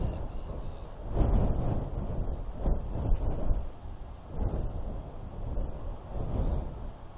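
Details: Heavy gusting wind buffets the microphone in surging bursts, with no animal calls heard.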